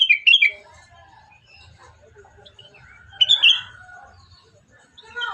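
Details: Morning birdsong in the wild: bright chirping bursts open and return midway, linked by softer warbling and thin whistled notes, with a faint low rumble underneath.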